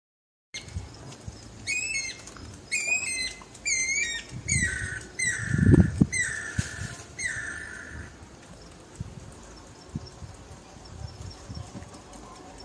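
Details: Guira cuckoo recorded on a rural farm: a series of loud, high, descending whistled notes about once a second. The notes lengthen into drawn-out falling calls, with one low thump midway and a quiet rural background.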